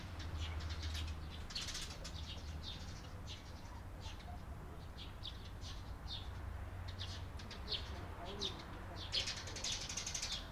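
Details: Recorded 28 April 2022, Eurasian tree sparrows chatter with many quick high chirps, clustered and overlapping toward the end, above a steady low drone.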